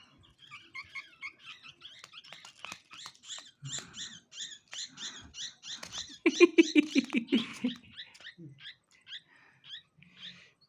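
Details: Orphaned, hand-raised Indian pied myna fledglings, whose mother died, give rapid, harsh, chattering begging calls, about three per second, with a louder burst midway, while a person speaks nearby.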